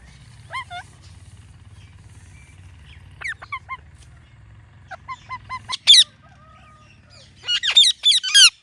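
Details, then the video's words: Ringneck parrot chirping naturally: short bent whistled notes in small clusters separated by quiet gaps, ending in a rapid run of shrill high chirps, with a low hum in the background early on. "Ringneck Parrot Natural Chirping Sounds"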